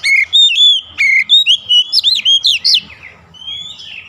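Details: Oriental magpie-robin trained daily toward a long rolling song: a rapid string of about ten bright whistled notes, some steady and some bending upward, then fading into a softer trailing warble.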